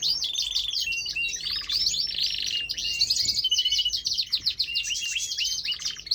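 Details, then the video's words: A pet canary sings a continuous, rapid song of high trills, rolls and warbled phrases with almost no pauses, over a faint room hum. "Canary singing"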